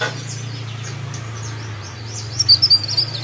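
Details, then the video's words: Mountain Leaf Warbler singing thin, very high twittering notes, faint at first, then a brighter burst of quick sharp chips near the end, over a low steady hum. "CIKRAK DAUN"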